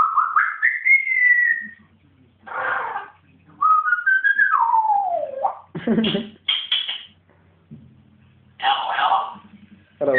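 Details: Pet African grey parrot going wild inside a home. A rising, sustained whistle and a long falling whistled glide mix with scratchy squawks and sharp clicking bursts.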